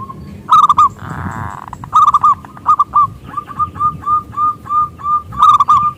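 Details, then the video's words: Local zebra dove with a loud voice, used to lure rival doves to sing: rolling triple coos followed by a steady chain of short, rounded notes roughly every third of a second, with a brief rustling burst early on. "Perkutut Lokal Gacor suara Besar pancingan perkutut"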